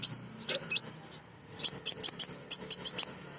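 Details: Female sunbird (kolibri ninja) used as a lure to provoke birds; a few loud high chips, a pause, then a rapid even series of sharp piercing notes, over a faint low hum.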